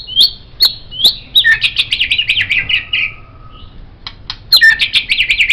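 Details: White-rumped shama, recorded as a master for songbird training, gives sharp repeated upslurred chips about every half second, then a fast chattering run of rich descending notes, a pause, and another rapid chattering burst.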